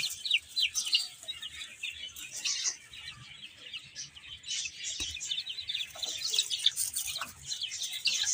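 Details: A group of baby chicks feeding and playing, chirping constantly in a busy high-pitched chorus of short peeps, with faint pecking and rustle beneath.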